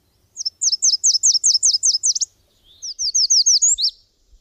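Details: A subalpine warbler sings two bursts of sharp, high, chattering notes, each strophe a quick run of down-slurred chips, separated by a short pause; a faint low thump in the background.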